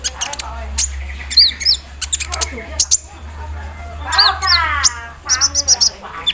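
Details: Javan sunbird singing vigorously in the morning dew, with an embroidery-machine imitation fill: hammering high chips, paired upswept whistles, and cascading ripples of warbled notes.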